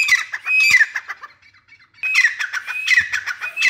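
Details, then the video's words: Harsh, ringing teetar call notes from a grey francolin in two loud bursts, with a short near-silent pause between them. "Teetar Making Beautiful Sounds | Teetar call | Teetar Voice | Gray francolin Voice"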